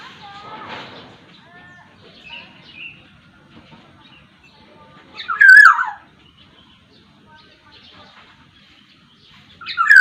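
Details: Sumbawa Black-naped oriole, singing freely with varied phrases: soft scattered notes at first, then two loud rasping nasal calls about five seconds apart, each sliding downward.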